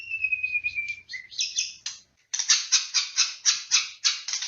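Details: White-rumped shama (murai batu) in a pancingan song meant to spur other shamas into vigorous singing: a long high whistle and a lower note, then a run of loud buzzy, rasping bursts about every quarter second, over a faint low hum.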